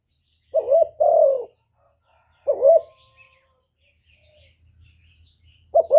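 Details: Decoy spotted dove cooing to attract wild doves: one full pair of a short quavering coo and a long falling coo, then a lone short coo, a long pause with a low rumble, and another coo at the end.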